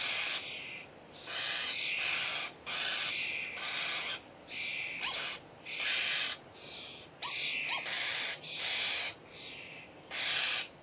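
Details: Starling chicks at feeding time keep up an insistent chorus of hoarse, hissing begging calls, around a dozen rasping bursts of about half a second, with brief sharp clicks scattered among them.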